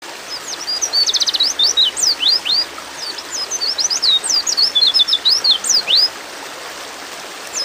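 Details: Female white-eye in breeding mood calling to a male: rapid series of thin, high chirps, sharp up- and down-slurred notes with a short buzzy trill, delivered in two bursts around a brief pause.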